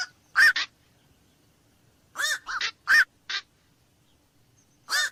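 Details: Black-crowned night heron uttering gruff, doubled squawks, grouped calls separated by quiet pauses, each note short, hoarse and barking.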